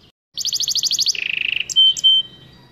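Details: Short goldfinch mule phrase: a fast high trill dropping into a lower rattling run, finished by two loud clear notes.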